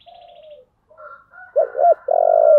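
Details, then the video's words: Spotted dove, "giọng thổ" song style: soft background chirps and a high buzzy trill, then one loud phrase of two clipped low notes and a long throbbing coo. "cu gáy giọng thổ/ cu gay giong tho cuc dinh"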